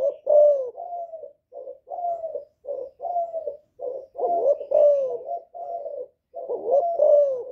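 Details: Cooing of a spotted dove meant to provoke rival males, "giọng thổ" style: a steady run of deep, rounded coos, louder notes with a falling slur, evenly spaced over several seconds.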